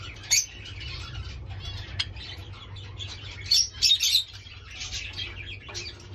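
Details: Fawn red-eyed Java sparrow giving sparse, short high chirps: a sharp note near the start, then a tight cluster of three bright chips a little past midway, all over a steady low hum and faint rustling.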